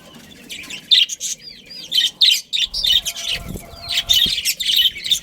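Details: Budgerigars from a captive breeding colony give clear chirps and looping whistled slurs in short bunches roughly every second, a bright warble over a quiet background with a soft thump or two.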